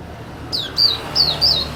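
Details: Indonesian white-eye (pleci) on a house terrace calling lively: after a brief quiet start, four sharp, high descending chirps follow at short, slightly uneven intervals, with a soft low background hum.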